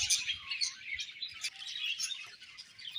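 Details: Budgie chirping: a fast high warble of scratchy twittering notes, loudest at the start, continuing steadily with faint low knocks beneath.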